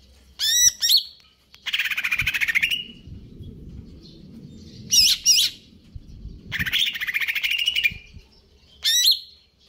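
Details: Greater green leafbird singing konslet kejer nembak: loud squeaky whistled notes alternate with long, rapid buzzy rattles, the pattern repeating several times over a faint low rumble.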